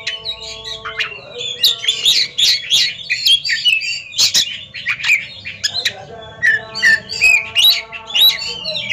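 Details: Ringed Oriental magpie-robins kept in cages, two birds singing against each other: scratchy chirps and bright slurred whistles in bursts, over steady low droning tones in the background.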